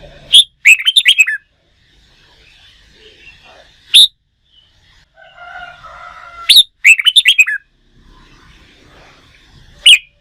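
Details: Red-whiskered bulbul in singing-contest training, a recently wild-caught bird: a sharp note and rapid cascade of bright whistled notes, a single loud note near four seconds, the phrase repeated, and a last sharp note.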